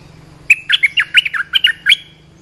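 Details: Training and luring call of the olive-winged bulbul: a lively, bubbling phrase of about nine rapid chirping notes, rolling up and down in pitch over roughly a second and a half.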